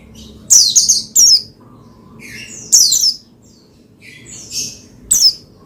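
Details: Oriental white-eye (pleci) singing to stimulate another pleci to sing: bursts of high, thin, descending chirps and trills in separated phrases, with a faint low hum beneath.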